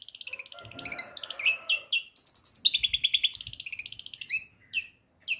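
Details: Long-tailed shrike, kept for songbird hobby, singing a varied mimicry medley of sparrow and kingfisher material: fast shifting chirps, high ringing trills, rapid chattering runs and sharp downward notes, with faint low background rumble.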